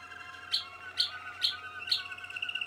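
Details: Young 2016 Malinois Waterslager canaries: four bright, sharp high notes spaced roughly half a second apart over soft bubbling trills, ending in a thin high rippling trill. A low steady hum lies underneath.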